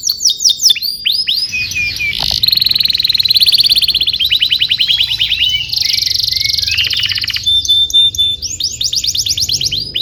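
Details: Canary tutor song for teaching young canaries: fast descending sweeps give way to a dense bubbling roll and a bright rapid trill, with a short high whistle before a final series of sweeps.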